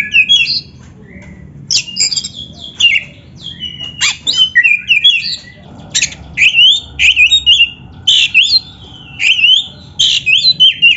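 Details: Kacer, the Oriental magpie-robin, singing a training song meant to spur beginner or lazy birds: rapid bursts of harsh buzzy notes mixed with sweet, slurred whistles, delivered in short vigorous phrases about every half second.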